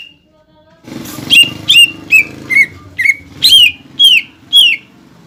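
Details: ['Cucak ijo, the greater green leafbird, heard in a lure song meant to trigger singing in juvenile and newly caught birds. After a single opening whistle, a steady series of downslurred whistles follows over a low buzzing hum.']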